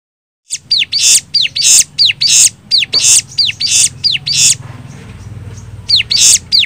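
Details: Bar-winged prinia lure song played to make other birds respond, high downward-curving whistles alternating with harsh, raspy bursts in uneven groups, then a short pause before the phrase resumes.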